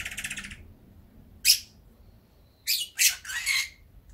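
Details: Indoor pet Fischer's lovebird, sleepy in pleasant warm weather, makes a rough buzzy burst, then a sharp single chirp, then a cluster of three raspy squawks, separated by short silences.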